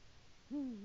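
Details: Eurasian eagle-owl male calling his mate as he arrives at the nest, recorded by a live nest camera on 22 February 2018: one deep hoot that starts sharply and then slides gently lower, with faint hiss behind it.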